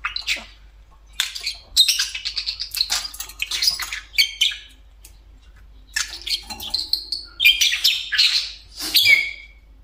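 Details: Pet budgerigar perched on top of its favourite cage, giving a run of high scratchy chatter, squeaks and warbled phrases in bursts, with short pauses and a sharp squawk near the end.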